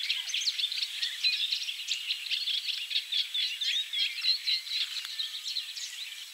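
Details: Eurasian reed warbler song from low in the reedbed: a dense, unbroken run of harsh chirps and scratchy notes repeated in quick, uneven rhythm, with a Savi's warbler reeling behind.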